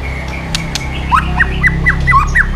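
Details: White-rumped shama fighting song, the bird stimulated to sing and flicking its tail: a quick series of repeated short falling whistled notes over a steady tone and low background music.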